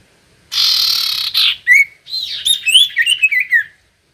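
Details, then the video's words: Common iora song played to provoke reluctant birds into singing: a loud raspy buzz, then a quick run of bright, slurred whistled notes that rise and fall. "Pancingan Cipoh Gacor‼️Paling Manjur Burung Cipoh Malas Bunyi Langsung Nyaut"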